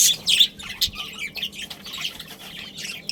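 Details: Budgerigars, a breeding pair with their family, opening with loud harsh chirps, then softer rapid twittering of short high notes, about two or three per second.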